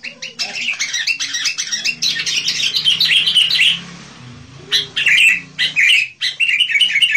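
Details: Sooty-headed bulbul in full, lively song, used as a lure for wild bulbuls: dense runs of chattering, bubbly notes, then short bright phrases after a brief pause, with a faint low hum underneath.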